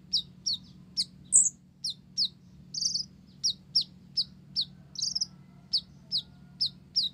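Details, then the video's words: Olive-backed sunbird, blorok type, singing gacor with gelatik (Java sparrow) fill: an even series of sharp, high chirps roughly three per second, broken by a few buzzy rasping notes and one shrill squeak, with faint low hum behind. "Konin Blorok Gacor isian Gelatik"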